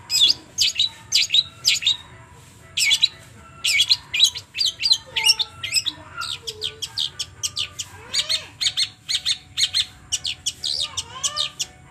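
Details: Long-tailed shrike (Lanius schach) lure recording meant to provoke a captive shrike into singing: harsh, scratchy chattering bursts about twice a second, broken by a few lower, slurred whistles.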